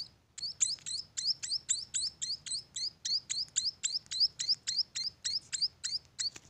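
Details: Chicks of munia at a bird farm keep up an insistent train of shrill upward-sweeping chirps, close to four each second, after a short quiet start, with low hum behind.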